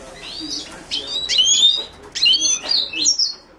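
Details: Song of the Himalayan goldfinch, Carduelis caniceps: two phrases of bright, slurred whistles and twitters, each rising and falling, separated by a short pause.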